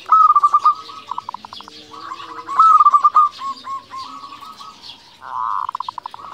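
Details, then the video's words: Local zebra dove singing: a clear note followed by a quick stutter of mid-pitched pulses, repeated phrase after phrase, with a few longer level tones and a rougher trill near the end. "Perkutut lokal gacor Suara Unik"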